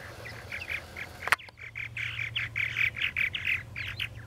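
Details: Purple martins at a nesting colony chattering in a rapid run of gurgling, throaty chirps and creaky notes, several birds overlapping, with a sharp click and a low hum beneath.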